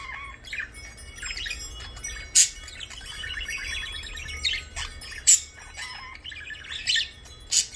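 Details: A pet blue parakeet chatters in soft, rambling warbles mixed with scratchy notes, broken every few seconds by sharp, bright clicks or chips.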